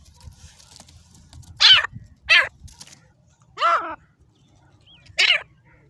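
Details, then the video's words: Fighting grey francolin of the desi Dakni type uttering four hoarse, raspy calls, the third lower and drawn out, amid soft low background noise. "دیسی دکنی تیتر /ہاتھ سے لڑنے والا تیتردکنی"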